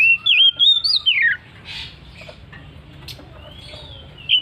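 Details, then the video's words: Oriental magpie-robin singing in the ngeplong ngotot style: a loud run of clear whistled notes, wavering then sliding downward, in about a second and a half, followed by quiet background with faint chirps and a closing whistle. "KACER NGEPLONG NGOTOT"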